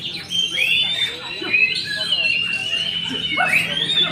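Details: Oriental magpie-robin at a songbird contest, hung on the pole: long sustained whistles, upward sweeping slurs and a rising flourish near the end, amid overlapping birdsong and a low background hum.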